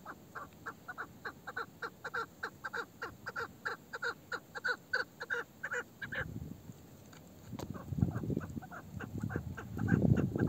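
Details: A fast, steady chain of harsh chuk notes from an old female chukar partridge (meri) with a male-like voice, later partly masked by low rumbling noise.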